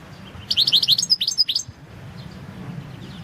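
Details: Goldfinch, subspecies Carduelis carduelis balcanica, recorded for a 2022 singing competition: a fast, tumbling twitter of high chirps and short whistled notes lasting about a second, then fading into a soft background murmur.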